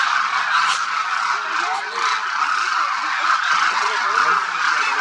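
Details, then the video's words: Huge flock of Demoiselle Cranes feeding at Khichan, Phalodi, Rajasthan, India, during winter; constant layered honks form a dense roar, with a few brief lower calls showing through. "The sound of thousands of Demoiselle Cranes echoes across Khichan Village, Rajasthan"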